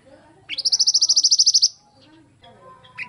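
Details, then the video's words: Black-naped monarch (mantenan) song used as a training recording: one rapid burst of about fourteen identical high, sharp notes, roughly twelve per second, lasting just over a second, with faint background chatter before and after. "mantenan gacor"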